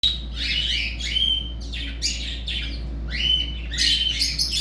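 A budgerigar chatters with scratchy, buzzy squawks and brief whistled notes in quick bursts.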